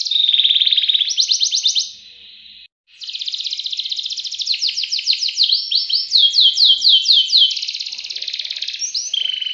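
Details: Canary singing a long, continuous rolling song: rapid trills of repeated notes, some sliding down in quick series, running on for several seconds with one brief pause.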